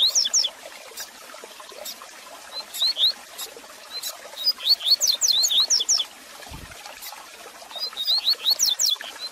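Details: Double-collared seedeater singing, a recording meant to warm up and teach a caged male: several bursts of sharp, high whistled slurs in quick runs, separated by pauses, with constant faint hiss and a brief low thump.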